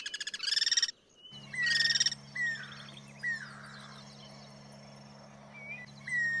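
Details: Guira cuckoos cross-singing in their natural habitat: two short bursts of rapid harsh pulses, followed by clear descending whistles and chirps from other birds over a steady low mechanical hum.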